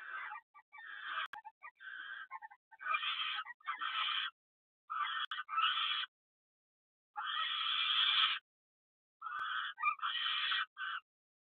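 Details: Barn owl pair at a nest box in the evening, female incubating 7 eggs due to hatch in about 4 days as the male delivers food and mounts her; harsh, hissing screeches in rough bursts of about half to one second, repeated irregularly.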